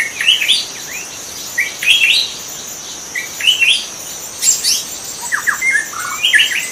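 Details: Wild white-rumped shama in natural habitat, giving short varied phrases of sharp chirps and quick whistled notes at irregular intervals, with a constant high-pitched insect buzz and a brief burst of rustling.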